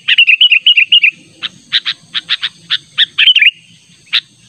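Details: Sooty-headed bulbul lure call, natural sound meant to draw a rival: opens with a rapid chain of bright warbled notes, then evenly spaced sharp chirps, one more short warble and a final chirp.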